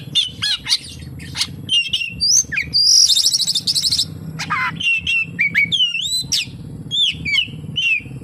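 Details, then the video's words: Oriental magpie-robin singing with kapas tembak imitations: sharp chips and whistles, a loud buzzy rattle in the middle, then repeated looping whistled phrases over a faint low hum. "SUARA BURUNG KACER, FULL ISIAN KAPASTEMBAK"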